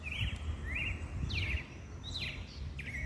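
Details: Coleiro (double-collared seedeater) singing the mateiro song style, used to stir up males: a series of short whistled notes and quick sweeping slurs in a loose phrase, over steady low background rumble.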